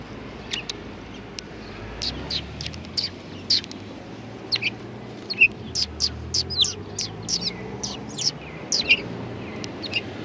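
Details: Sparrows coming to be fed at a shrine, recorded 6 March 2020: scattered short, sharp chirps, some in quick pairs, over a steady low background hum.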